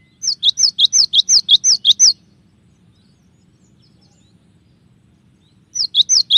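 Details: Cinereous tit giving a fast, regular series of about ten bright two-part notes, each a high note dropping lower. A long silence follows, then the phrase resumes. Taken from a tutor recording of shot-style song variations.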